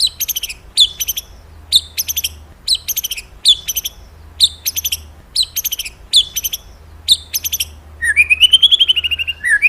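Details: Magpie-robin singing vigorously: a sharp high two-part phrase repeated roughly every second, followed by a rising warbled flourish at the end.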